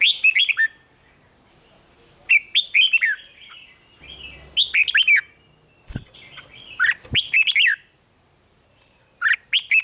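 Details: Rik song of a caged red-whiskered bulbul, played to make listening birds lively: about five short phrases of sweet, tumbling, up-and-down whistled notes spaced by brief pauses, plus a couple of sharp clicks and a steady thin whine.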